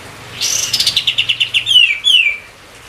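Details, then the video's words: White-eye singing as a training song for other songbirds: a rapid trill of about ten even chirps, followed by two long clear whistles sliding downward, with light background hiss. "burung katem kapas tembak gacor"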